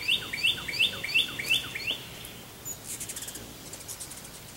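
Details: American goldfinch feeding on sunflower seeds calls six bright rising notes, spaced about a third of a second apart. A spell of dry rapid clicking and faint ticks follows.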